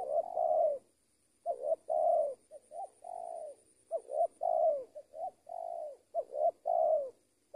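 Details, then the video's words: Spotted dove, a large lure bird used for trapping: mellow, husky coos in repeated phrases of three or four notes, each rising then falling, over a faint steady high whine. "TEKUKUR SI BONGSOR KETEMU BL RAJA NGUKU"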